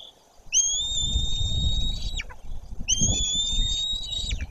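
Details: White-tailed eagle nest in Poland's Bory Tucholskie forest, recorded as an adult flies in. Two long, level, piercing whistles, each about one and a half seconds and ending in a quick downward flick, over low rumbling noise.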